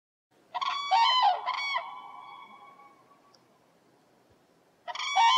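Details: Common crane (Grus grus), Europe's only crane species, in Central Europe, giving loud, trumpeting, rolling calls in short bursts: a pair of blasts followed by a fading echo, then another burst after a pause.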